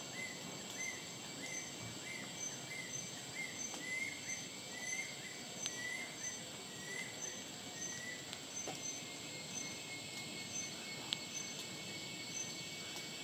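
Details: Banded Kingfisher of the black-faced Bornean form (Lacedo pulchella melanops), Sabah, Malaysia, August 2018, giving a steady series of short, thin whistles, roughly two per second, over a constant high buzz of insects.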